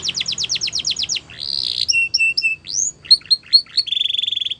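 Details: Canary song, varied and loud: a quick trill of falling notes, then a sustained buzzy tone, paired clipped whistles, upswept chips, and a final rapid even rattle on one pitch.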